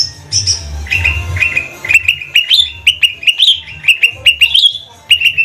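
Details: Caged trotol lesser green leafbird from Banyuwangi, whose song is described as bebeci bebeci, sung as a lure: a quick series of sharp, clipped notes about three per second, each with a short whistled tail, after a few sweeter slurred opening notes.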